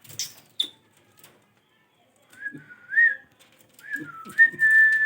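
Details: Parrot giving two drawn-out whistled phrases in its mix of voices, the first level then rising and falling, the second dipping then holding steady, after a few soft clicks and taps.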